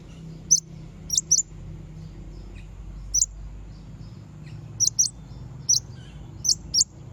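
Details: Konin luring rivals with high, thin chirps in pairs and single notes, spaced irregularly about every half second to two seconds, with a faint low hum underneath.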